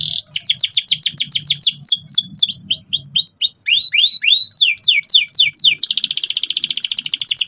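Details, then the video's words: Canary in loud, persistent gacor song for young canaries to learn the ngeriwik sound: a buzzy high trill, then rapid falling whistled notes repeated about four per second, ending in a dense rattling trill; faint low hum beneath. "suara kenari gacor ngotot keras biar kenari paud cepat belajar bunyi ngeriwik"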